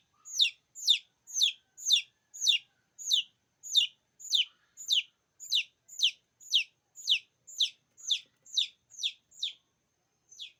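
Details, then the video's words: Repeated shrill peeps of chicken chicks calling other chicks, each note sliding downward, coming about twice a second before trailing off with a final isolated peep near the end. "cheeks sound,effective to call other cheeks."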